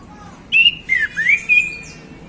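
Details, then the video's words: Male orange-headed thrush singing in the relaxed, open 'ngeplong' style in the afternoon: four loud, clear whistled phrases, some rising and some sliding down, packed into about a second and a half against a quiet background. "Anis Kembang Ngeplong Santai Sore"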